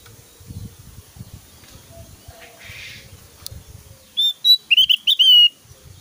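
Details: Javan grey-throated white-eye in full song, a varied, very loud whistling and burst style: after about four seconds of soft low rustling, a quick run of bright, clear whistled notes with slurred rising and falling phrases.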